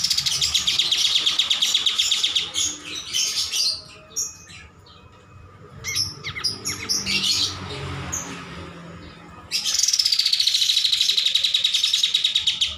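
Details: Cream-striped bulbul singing hard for a master recording: long rapid buzzing trill, a middle stretch of scattered chattering bursts and quieter pauses, then another sustained pulsed trill gliding slightly downward.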